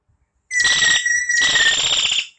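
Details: Common hill myna giving one loud, piercing whistle that breaks into a harsh, buzzy rasp, briefly dips, then resumes for about two seconds.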